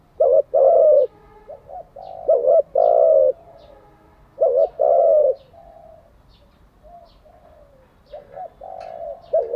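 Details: Cooing of a spotted dove kept for training decoy and newly caught doves: three-part phrases of two short clipped notes and a long level coo, repeated about every two and a half seconds, with quieter coos from another dove.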